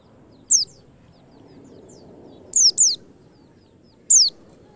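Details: White-eye sound played as a lure to get white-eyes singing fast: single high, thin downward-slurred notes, then a close pair, then another single note, spaced by quiet gaps.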